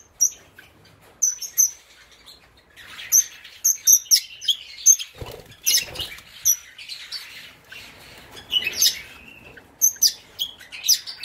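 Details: A pair of caged red-rumped parrots at the Psittacoms 2019 bird show, a blue opaline pastel cinnamon male with a blue opaline female. Sharp, high chirps come singly and in short bursts, with busier chattering and rustling in the middle.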